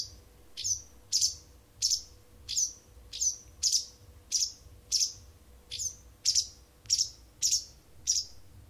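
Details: Wild bird serenading an indoor cat mornings and evenings for about a month; a steady series of about thirteen bright, high chirps, each a quick falling sweep, evenly spaced over a faint hum.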